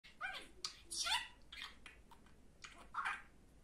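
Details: A pet budgerigar talks in a scratchy, high voice, repeating its name "Canset" and the Turkish phrase "cici kuş" meaning "pretty bird".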